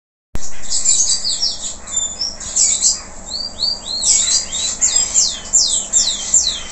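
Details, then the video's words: Local canary in full song after moulting: a dense, varied stream of high chirps, quick trills and downward-slurred whistles, fluttering in loudness, with faint low hum underneath. "Kenari lokal selepas mabung,,Masih Aja Gacorr"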